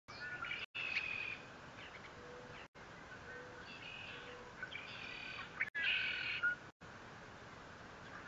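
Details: Bald eagle at its nest 57 feet off the ground at Fort St. Vrain, filmed by a live nest camera on 21 April 2024: thin, high squealing whistles with stacked overtones in short bursts, separated by brief dropouts over steady background hiss.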